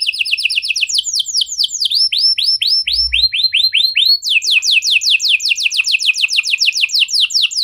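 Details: Canary 'cengkok mewah' song, used as a prompt so other canaries join in singing: rapid sweeping tours shift into slower repeated upward-curving whistles, then a long, even, fast run of descending notes.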